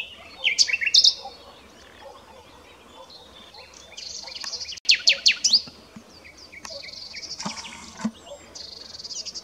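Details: Common nightingale (Luscinia megarhynchos) singing: varied phrases of high whistles, sharp upward sweeps and a rapid burst of descending notes, separated by short pauses, over faint background hiss.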